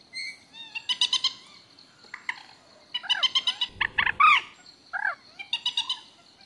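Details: Common moorhen calling: bursts of rapid harsh clicking notes alternate with short, arched, croaking calls that rise and fall, repeated in uneven groups over several seconds, above a faint steady high hum.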